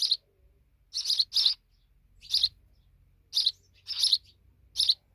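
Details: Young sparrows, babies now grown big, give harsh broadband chirps, some in quick pairs, spaced irregularly over about five seconds against a faint low hum.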